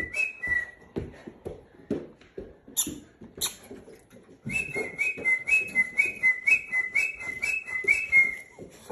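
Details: Hand-tamed pet rainbow lorikeet whistling during training: after several seconds of clattering and shuffling, a long run of quick, high, two-pitched whistled notes repeats about four times per second to the end, with faint speech.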